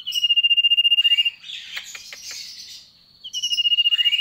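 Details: Caged sooty-headed bulbul: a fast pulsing whistle at steady pitch, then a buzzy harsh chatter, then the rapid pulsed whistle again, loud and close.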